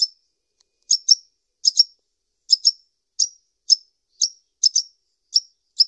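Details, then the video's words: Calls of a sunbird known as kolibri ninja: crisp, high-pitched chips, often doubled, repeated steadily about every half second across six seconds against total quiet. "SUARA BURUNG KOLIBRI NINJA"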